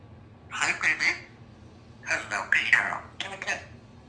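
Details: Young female Congo African Grey parrot, hatched June 2021, kept as a pet indoors, practising words, with 'apple' as her word of the week; three short bursts of raspy, speech-like syllables separated by brief pauses in a quiet room.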